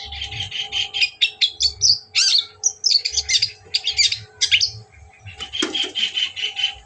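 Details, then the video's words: Long-tailed shrike singing, played to provoke a rival: fast varied chatter of harsh notes and short whistles, ending in a steadier buzzy trill, over a constant low hum and faint thuds. "pancingan bikin naik emosi #cendet"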